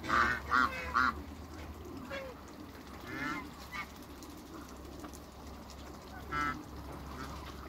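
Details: Three African geese met on a farm: three harsh, nasal honks in quick succession in the first second, a quieter pause, then one more honk near the end over a steady low hum.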